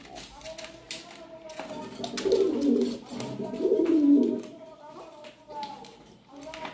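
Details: Pigeon producing two deep, bubbling coos about a second and a half apart, soft and throaty, over a steady faint hum with occasional clicks.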